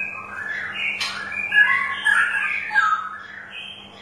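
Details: Straw-headed bulbul singing, used to encourage a quiet bird to sing: a dense, liquid stream of gurgling, rolling whistles with quick pitch jumps, rising slightly at the close.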